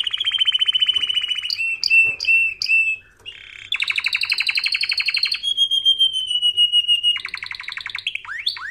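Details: Canary song used for training canaries: loud continuous rolling trills around the upper-middle range, shifting between rapid pulsed tours, a few short rising whistles and chirps, with steady high tones above, in a quiet indoor setting.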